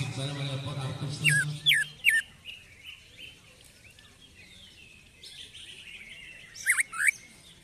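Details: Caged greater green leafbird, excited after its first singing contest, gives sharp, upward-slurred whistles in two quick bursts separated by a pause; a man's voice is heard briefly at the start.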